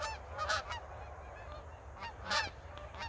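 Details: Geese on the move in a Pacific Northwest winter with no snow yet: loud, harsh honks in short bursts, two strongest near the half-second and two-and-a-half-second marks, between softer calls.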